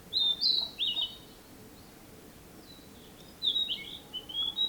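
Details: Narcissus flycatcher in song, 2017: two rich whistled phrases of rolling, slurred notes separated by a brief pause, with a faint distant bird note in between.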